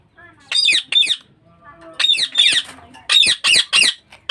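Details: Caged budgerigars kept in a home breeding setup: loud, harsh, buzzy squawking chirps in quick pairs and triplets, with short pauses between bursts and faint lower chatter underneath.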